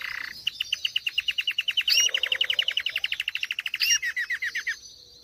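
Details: Belgian canary, agate pastel variety, one of a breeding pair, delivering a fast steady trill of repeated bright notes for over four seconds, with two high whistled accents mixed in.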